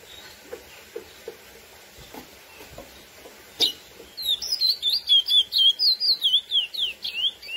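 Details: Curió, or lesser seed finch (Sporophila angolensis), singing the classic song meant to stir up females: a sharp opening note, then a quick, bright sequence of rising and falling whistles, roughly a dozen notes over three seconds.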